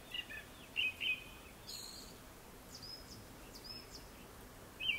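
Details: Japanese thrush song before sunset, fairly faint: a few short whistled notes, then thin high squeaks scattered through a quiet background.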